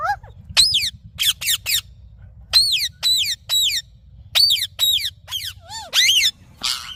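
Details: Green parrot, a talking pet, uttering repeated shrill whistled squeals that fall in pitch, spaced irregularly, with one lower wavering note near the end.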